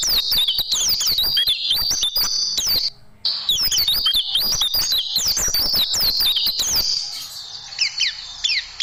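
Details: White-eye song used as tutoring material for caged birds, with 'tembakan' bursts: dense, high chattering of quick down-slurred whistles and chips, a brief pause near three seconds, then thinner notes toward the end.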